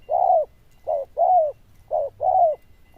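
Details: Rich, ringing coos of a zebra dove with a loud, bell-like voice: short and long notes alternate in a rhythmic pattern, about five notes over three seconds.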